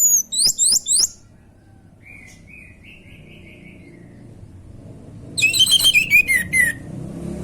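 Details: Loud orange-headed thrush song: a short high burst of slurred notes, a soft thin trill, then a longer lively phrase mixing descending whistles with rapid high chips, over faint background hum.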